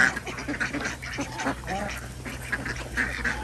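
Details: Desi ducks on an Andhra Pradesh village farm at morning egg collection; short, rough quacks from several birds, with a few sharper higher notes breaking through the flock noise.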